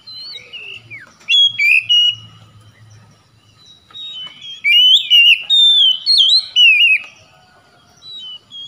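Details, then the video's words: Oriental magpie-robin, a kacer kept for training, singing loud whistled phrases of sliding, warbled notes in bursts, with quieter pauses between and a faint low hum underneath. "KACER NGEDROP MACET BUNYI LANGSUNG GACOR"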